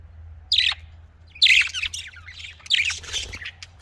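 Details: Australian parrots, that is budgerigars, kept caged: a few loud, harsh squawking chirps in separate bursts with quiet gaps between.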